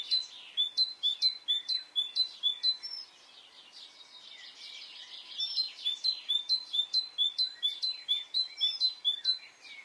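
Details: Spring morning birdsong in Brittany, France: a rapid series of high, clipped whistled notes repeated about twice a second, breaking off for a pause filled with distant twittering, then resuming in the same brisk rhythm.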